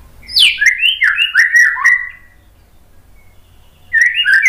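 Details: White-rumped shama song meant to provoke birds into singing: a rich run of slurred, warbled whistles falling and wavering, a pause of quiet, then another loud burst of whistles.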